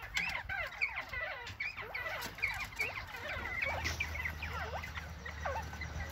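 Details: Northern bobwhites chatting: a dense, continuous stream of short arched and falling chirps, many overlapping, over steady background noise and low rumble.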